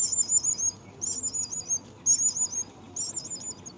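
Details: At a myna nest with young, bursts of high twittering chirps come about once a second, each a quick cluster of wavering notes.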